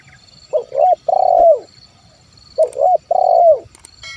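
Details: Spotted dove, 'kuk 1' style song, used as a lure to make wild birds call: two low cooing phrases, each a short double note then a long rolling coo that falls at its end, with a faint steady high hum behind.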